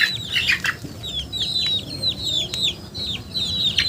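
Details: Chickens peeping in quick succession, each call a bright whistle sliding downward, spaced about a third of a second apart, with a rustle at the start.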